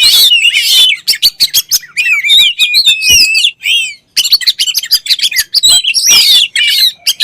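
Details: Oriental magpie-robin in a very loud, varied song. It mixes whistled, warbling phrases with harsh rasping bursts and sharp clicks, delivered in two long runs split by a brief pause.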